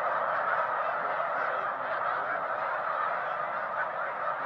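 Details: Huge flock of snow geese covering a lake; a dense, continuous wall of overlapping honking and yelping calls with no gaps.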